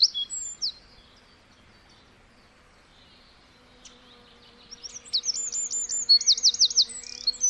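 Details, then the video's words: Small wren in forest: a few high notes, several seconds of near silence with a faint steady hum, then a bright, fast trill of rapidly repeated high notes. "1 Hour Of A Bird (Wren) Chirping In The Forest"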